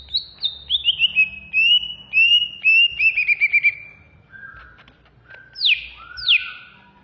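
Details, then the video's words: Greater green leafbird (cucak hijau, Chloropsis sonnerati), a Banyuwangi-type bird, sings fast, agitated, "ngamuk" runs of bright whistled notes sliding downward, then sharp rising and falling sweeps. "Suara burung Cucak ijo Banyuwangi Ngentrok Ngamuk"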